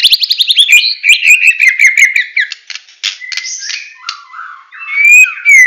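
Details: White-rumped shama from Medan in a full 'tembakan' song: fast descending series of repeated whistled notes, then harsher buzzy phrases and a final long slurred whistle.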